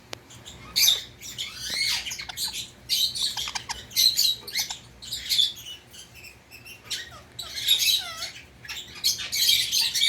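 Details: Indian ringneck parakeet kept as a pet, giving a busy series of harsh, squawky calls with rising and falling slurred notes in overlapping bursts, some lower curved notes between them, steady over ten seconds.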